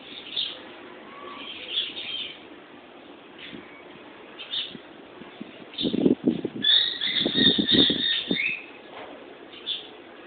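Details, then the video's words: Two pet lovebirds giving sharp high chirps and squeaky calls, scattered at first, then a denser burst of shrill chattering in the middle, with low thumping noises and a steady background hiss. "Love Birds"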